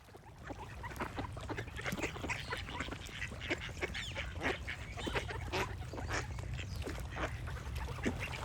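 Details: Ducks quacking in a crowd, short harsh nasal calls overlapping constantly, with a steady low rumble of background noise underneath.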